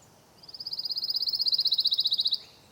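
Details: A Pine Warbler pops up in low scrub in Florida on a spring morning during migration and sings a steady, high musical trill of about twenty-five quick notes over two seconds, growing slightly louder toward the end.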